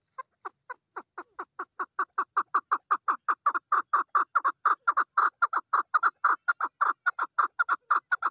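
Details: Female chukar partridge giving a rhythmic run of hoarse chuck notes that start sparse and quiet, then speed up and grow louder into a steady pulse of about two notes per second.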